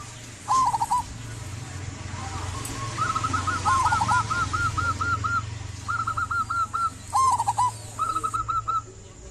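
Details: Local zebra dove singing steadily as a lure to prompt quiet doves to sing; several short runs of rapid, bubbling coos at slightly different pitches separated by gaps, with a faint low hum and occasional higher chirps.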